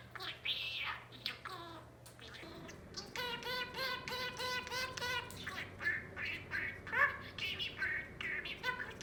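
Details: Pet albino budgerigar, a four-year-old male that learned many words, some never taught, chatters in rapid repeated scratchy syllables, like a fast burst of the same word, with warbling high chirps around it.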